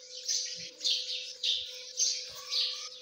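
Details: Shrill, fairly evenly repeated peeps from partridge chicks, nearly two per second, over a constant low electrical hum.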